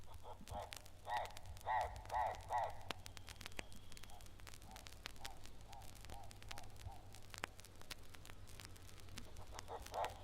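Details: Hartlaub's Turaco in East Africa, a vivid bird with an oddly harsh call, gives series of harsh, croaking notes, several per second, loud at first and then softer, over a low steady hum.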